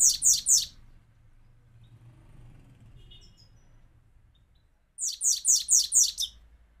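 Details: Himalayan goldfinch singing in captivity: a short run of three sharp, high chirps, a long quiet gap with low background hum, then another run of five ringing chirps.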